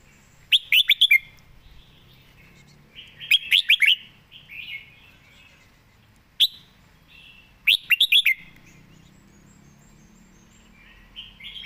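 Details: Red-whiskered bulbul kept caged and singing diligently: crisp clusters of rapid, bouncy whistles, about four phrases spread across the recording, with quiet gaps and soft chatter between them.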